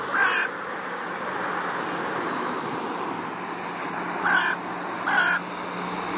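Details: Ravens of a resident pair, back alone in their territory and quarrelling with neighbouring birds, give three short, hoarse croaks: one at the start, then two close together after a long pause, with constant rushing background noise.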